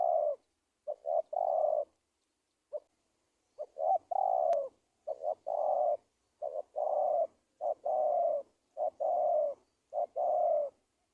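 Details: Long run of spotted dove cooing meant to lure wild doves for trapping: about nine mellow phrases in eleven seconds, each short stuttered notes leading into a sustained, slightly falling coo, with one brief pause early on.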